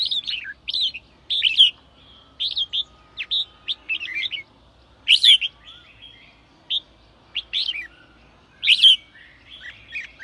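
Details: Sổ bọng song of a red-whiskered bulbul, meant to provoke newly caught birds; crisp whistled phrases with sharp upslurs and downslurs come in spaced bursts, some ending in a loud emphatic note, with clear silences between.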